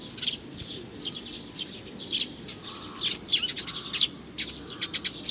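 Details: A young sparrow calls with repeated short, piercing chirps, coming faster and louder toward the end in tight bursts, over faint low noise.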